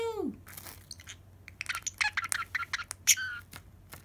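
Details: A Pacific parrotlet, excited by the sound of plastic wrap, gives a sharp falling squeak, then a quick run of high, scratchy chirps mixed with the crinkle of crumpled plastic wrap.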